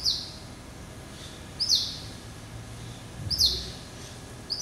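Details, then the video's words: Captive hybrid finch, male, crossbred from yellow-eyed canary and Timbrado, hatched November 2012, heard March 2013: high thin chirps sliding downward, about one every one and a half seconds, with a faint low rumble beneath. "Hybrid Finch ...Yelloweye & Timbrado"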